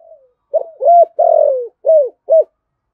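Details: Spotted dove cooing in the Thorough Thổ Sấm style to provoke wild doves: a faint lead-in, then a tight phrase of arched, hollow notes with one long sustained coo in the middle.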